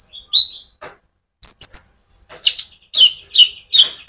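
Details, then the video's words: Rolling song of an actively singing sunbird, meant to provoke other birds into singing; high thin whistles, a quick twittering cluster, then several sharp downslurred chips repeated about every half second. "pancingan Burung Konin gacor ngerol"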